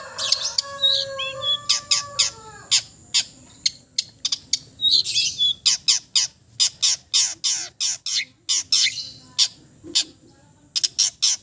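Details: Relaxed, varied song of an East Java long-tailed shrike, packed with mimicked fill-ins: thin whistled slurs and squeaky notes open, then long runs of sharp, high chattering strokes in irregular bursts.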